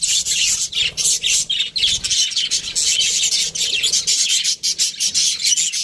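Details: Many budgerigars in an aviary, a dense continuous chorus of high, scratchy chirps and warbling chatter overlapping throughout, with brief dips and no other clear sounds.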